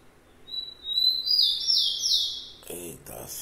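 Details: Rufous-collared sparrow (tico-tico) song: a drawn-out series of piercing whistles, gliding and slightly falling, for nearly two seconds. A short spoken sound follows at the close.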